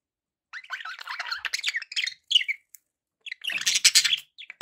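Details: Lively budgie warbling: loud, dense scratchy chirps and buzzy chatter running for over a second, a brief pause with a single sharp note, then another intense burst of bright twittering.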